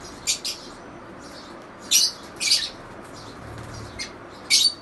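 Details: Lovebirds calling: short, high, harsh chirps in scattered bursts, some doubled, over a quiet background.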